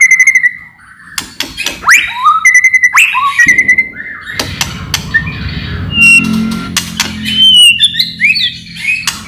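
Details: White-rumped shama song as a lure for rival shamas, full of loud rattles: repeated sharp clicks with slurred whistles, then a varied medley of high twittering and warbled phrases.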